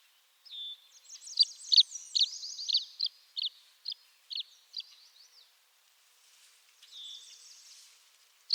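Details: Tree swallow (Tachycineta bicolor) in Eastern North America giving liquid, gurgling chirps and bubbly twitters, a quick run of high notes for about five seconds, then a softer burst after a pause.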